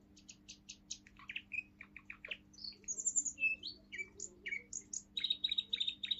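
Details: A young male Russian singing canary (Orpheus), 7 months old and from a pure song line, sings a "forest tune": a rapid, varied song of high chirps, trills and rising or falling whistles over a faint hum; finding: Belgian canary.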